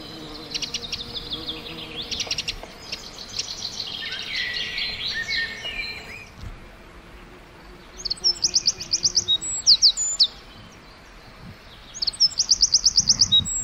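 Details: A wren in the forest: a busy chorus of mixed high twitters at first, then loud, very high, rapid trilled phrases in short bursts with brief pauses between.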